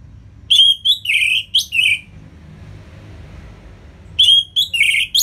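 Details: Orange-headed thrush in the ngeplong singing style, played as a tutor song to get lazy birds singing: two bursts of quick, sharp chirped notes, some rising, separated by about two seconds of quiet.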